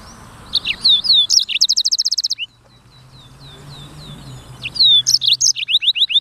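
Black-throated canary singing bright, high phrases: quick rising slurs, then a fast buzzy trill of rapid notes, a pause, and the song resumes.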